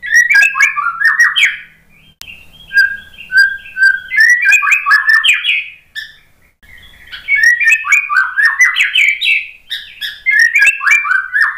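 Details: Song of a white-rumped shama played to coax a stressed shama into singing after its moult: long bursts of rich, tumbling whistles and chatters, broken by a quieter stretch of soft repeated whistles.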